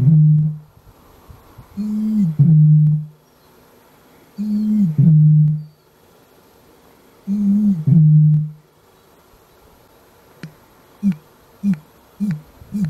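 A Great Bittern booms: deep, hollow, foghorn-like notes, each led by a short gulping lead-in, repeated about every three seconds, then a run of shorter booms.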